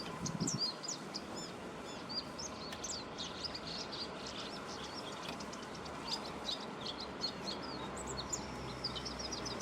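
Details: Japanese white-eye singing in a bamboo grove on 29 March 2021, hidden from view; rapid high, thin chirping and warbling notes scattered densely through the clip over a steady hiss of background noise.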